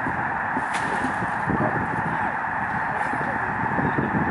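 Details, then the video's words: Migrating snow geese gathered in a huge flock on Lake Springfield, Illinois, heard from the lakeshore at Lincoln Memorial Garden: continuous clamor of countless honks blending into a roaring, even hum. "Murmuration Of Canadian Snow Geese"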